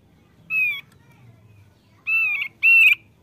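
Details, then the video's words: A male Thick-billed white-eye, described as a frequent singer, gives three clear whistled notes: one alone, then a pair after a pause, the last note louder and slightly wavering. "OPIOR PARUH TEBAL JANTAN YANG RAJIN BUNYI"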